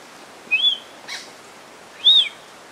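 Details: Rufous-tailed jacamar calling: two clear high arched whistles about one and a half seconds apart, each rising then falling, with a brief scratchy noise between them.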